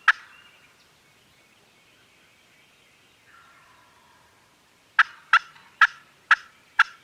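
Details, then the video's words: Gobbling turkeys on a farm, recorded with a Canon G7X: one sharp gobble, a long quiet stretch with faint background murmur, then five loud bursts in quick succession at the end. "Turkeys Are Gobbling"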